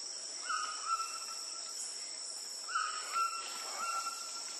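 Yellow-billed Jacamar giving long, thin, level whistles, each drawn out over a second, with a steady high insect drone throughout.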